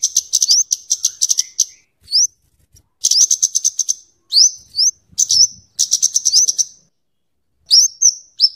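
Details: Scarlet-headed flowerpecker, locally cabe cabean, song for luring and tutoring: repeated phrases of quick high ticks over a steady thin tone, broken by sharp upslurred whistles.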